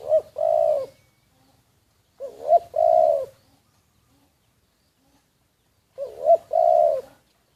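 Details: Spotted dove used as a decoy, recorded covertly, repeating a three-part coo three times with gaps of a few seconds; each has a short rising note then a longer steady coo.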